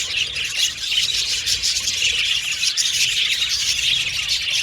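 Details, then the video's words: Budgerigars in an aviary colony chirping and warbling over one another, a lively high-pitched chatter with quick squeaky notes. "Budgies Chirping Sound"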